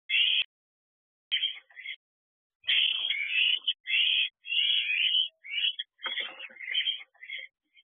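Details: Barn owl owlets in a nest box at 10 pm on 29 June 2023, scrambling to claim food delivered by their mother, give harsh rasping screeches, long and short, overlapping irregularly with brief silences, filmed by an owl box camera.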